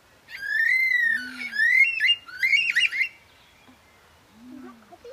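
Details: Superb lyrebird (Menura novaehollandiae) song during its courtship mating dance at Healesville Sanctuary, Victoria: loud, ringing whistled phrases that swoop and warble for about three seconds, then quiet with faint low murmuring behind.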